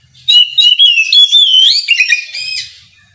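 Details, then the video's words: Morning song of an Oriental magpie-robin in the full ngeplong style, intended to provoke rival birds: a loud, continuous run of ringing whistles and rapid chirps lasting over two seconds, then trailing off. "Kicau suara burung Kacer ngeplong memancing lawan di pagi hari, sekali dengar langsung nyaut!"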